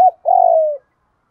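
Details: Single lure coo from a spotted dove in the 'thúc gù' style meant to excite birds: a brief clipped note, then one drawn-out, rough coo gently descending and fading out.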